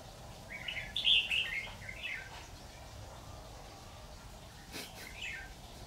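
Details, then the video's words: Caged decoy red-whiskered bulbul at a trap, 26 October 2019, gives a quick bubbling warbled phrase, followed by a faint echoing reply later on. Low background noise throughout. "Bẫy chào mào"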